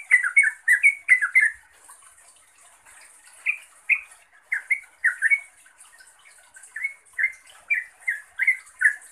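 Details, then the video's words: Sooty-headed bulbul calling to a rival or companion: bursts of short, rising chattering notes repeated rapidly, a dense run at the start, a pause, then two more chattering series. "Suara Turcuk Memanggil Lawan/Teman"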